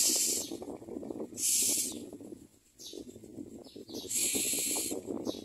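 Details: In the nest, hungry common myna chicks with gaping mouths produce rough hissing rasps: two at the start, then a fainter pair and a longer drawn-out hiss near the end, with steady low rustling beneath.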